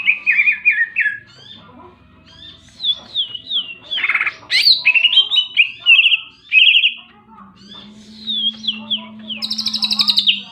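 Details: Greater green leafbird singing energetically: a long run of loud whistled, slurred phrases bouncing between mid and high pitch, broken by brief pauses and ending in a fast buzzy rattle, over a faint low hum.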